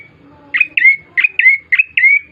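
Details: Bar-winged prinia song used as a lure to make birds start singing: six sharp, bright chirps, each sliding into a short whistled tail, given in quick pairs over a quiet background.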